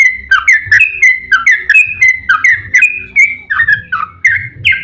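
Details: Trucukan, the yellow-vented bulbul, in an energetic long song used as a lure for other bulbuls: repeated bubbling whistle phrases, each a dip then a level note, delivered in a steady loud sequence.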